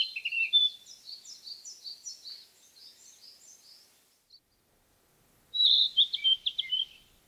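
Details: {'caption': 'Narcissus flycatcher song: a rapid series of high chirping notes, repeated several times a second and fading away, then a pause before a louder burst of mixed whistles and trills.'}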